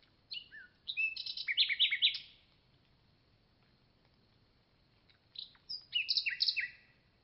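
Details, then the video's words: Two phrases of common nightingale song split by about three seconds of silence, each a dense tumble of short whistles, rattling notes and quick slurs, with the second phrase starting softly and then growing louder. "Nightingale Song"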